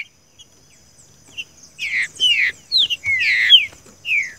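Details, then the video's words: Green-winged saltator in captivity, singing the song style known as 'seu chico', used to train other caged birds: a series of clear, slurred whistled notes, some falling and some rising, delivered in quick bursts after a short quiet start. "trinca ferro canto seu chico"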